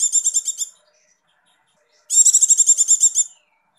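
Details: Breeding female Javan white-eye, used to excite males, gives a brief high trill, a pause of over a second, then a longer run of rapid bright chirping notes.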